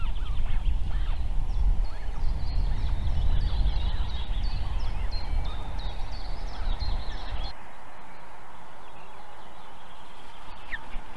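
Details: Wild Osprey calling at its nest in South Estonia's Võrumaa region, 2022: a string of quick, piercing high chirps in rapid succession, then fading, set against heavy low-pitched rumble that drops away partway through.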